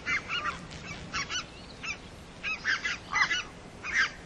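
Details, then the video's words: Red-breasted geese giving bright, squeaky two-part honks, several birds overlapping in short bursts separated by brief pauses, noisy broadband texture, no other clear sounds. "barnacla cuelliroja"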